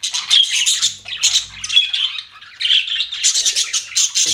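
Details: Pet budgies chattering in a continuous, busy stream of harsh squawks and twittering notes, with a short lull partway through before the chatter picks up again.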